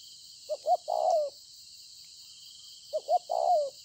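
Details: Wild-caught spotted dove in Konlong, 26/9/2020, delivering two full coo phrases about two and a half seconds apart, each two quick clipped notes then a long falling coo, with steady insect drone in the background.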